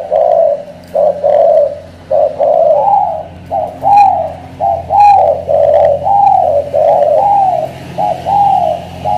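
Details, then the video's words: Spotted dove from Cà Mau, Vietnam, singing a loud coo of the style locally called thổ cọp: deep, hollow two-part coos, each with a short note and a longer arched note, repeated about once a second, with faint music and a low hum. "Thổ cọp âm khủng hình như bồ câu"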